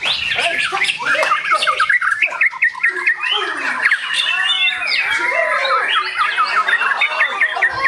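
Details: Murai batu, the white-rumped shama, delivering a continuous, loud, highly varied song of fast whistles, trills and slurred warbles, notes tumbling and jumping in pitch without pause for about eight seconds.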